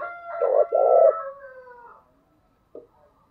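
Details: Spotted dove cooing as a decoy lure for trapping: two loud, low, hollow coo notes, then a long fading drawn-out coo and a brief faint note near the end.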